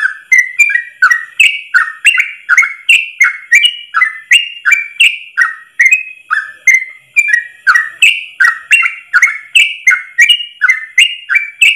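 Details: Yellow-vented bulbul singing a long ropel run in a single breath, recorded as a tutor song for caged birds: a fast chain of warbled whistles rising and dipping, each led by a sharp tick, continuing for nearly twelve seconds.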